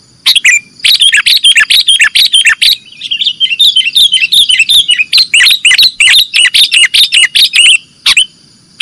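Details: A sooty-headed bulbul in nggaruda-style song, used to train caged birds, delivers a nearly continuous rapid chatter of sharp, bubbling notes for about eight seconds, with a faint steady high tone behind.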